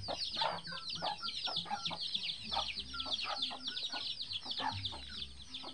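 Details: Eleven baby chicks and their free-range mother hen, hatched from a nest in the bushes; a thick, constant chorus of piercing falling peeps with occasional lower clucks and faint low hum.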